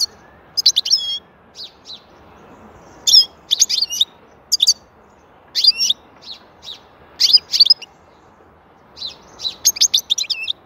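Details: Singing European goldfinch delivering short, bright phrases of liquid twitters and chirps, repeated every second or so with brief gaps, some notes sliding and buzzy, over a quiet background.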